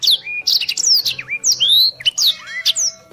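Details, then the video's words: Blackthroat in energetic fast song for training competition birds: sharp descending and upswept whistles, a dipping slur and short buzzy notes packed tightly together, bright and high-pitched. "Suara blackthroat gacor speed rapet"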